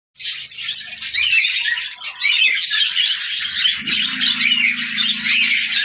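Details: Budgerigar; warbling chatter; courtship during mating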